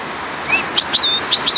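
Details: European goldfinch, subspecies parva, giving a few thin rising whistles, then four sharp high tinkling notes in pairs, over faint background hiss.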